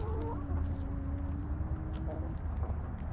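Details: Backyard hens in their coop give a drawn-out, low clucking call with a few shorter notes, against a heavy low rumbling background.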